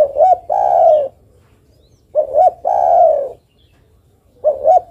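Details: A female derkuku calls to the male with repeated phrases. Each phrase is a double hoot and then a long mellow coo, about every two seconds, and another phrase is just starting at the end.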